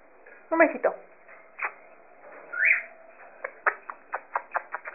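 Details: Monk parakeet mimicking speech with the word "guapo": harsh throaty syllable first, a short rising whistle midway, then a quick run of evenly spaced clicks to close.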